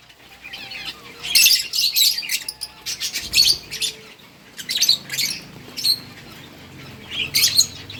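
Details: Lovebirds chirping while eating green food, recorded on August 4, 2024; high, scratchy twittering bursts come in short clusters with brief pauses between them.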